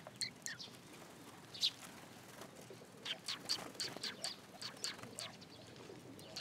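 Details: Sparrows gathering at a Tenmangu shrine to be fed, recorded on 10 July 2022: scattered short, high chirps repeated irregularly through the clip, with brief wing flutters.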